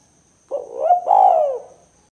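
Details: Spotted dove (tekukur) giving its 'kuk 2' call, meant for luring and provoking rival doves: one soft rising note slides into a long, throaty, falling coo lasting about a second, clean and quiet behind.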